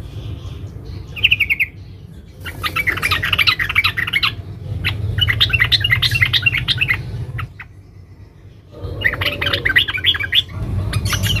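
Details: Female sooty-headed bulbul calling to a male: a short buzzy note, then three dense runs of rapid, tightly spaced chatter separated by quiet spells.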